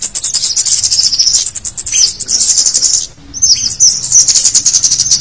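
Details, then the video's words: Scaly-breasted munia calls used as a lure to attract wild birds, a noisy combination of calls: dense, high, thin chirps packed almost continuously, with a brief pause past the three-second mark before the chatter resumes. "Suara Pikat Cit Kemade Ribut ll Suara Cit Keres Gacor"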